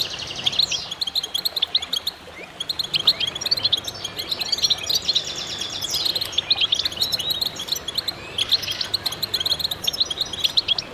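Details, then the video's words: Chorus of goldfinches in full song, an unbroken weave of high twittering, buzzy rattles and bright chirped phrases from many birds, rising and falling in intensity throughout. "voices a chorus of goldfinches in concert to stimulate birds"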